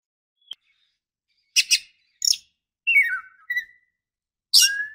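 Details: Oriental magpie-robin female calling to entice a male. Sparse sharp clicks and short bursts are broken by descending whistled slurs and one long level whistle, with silence between.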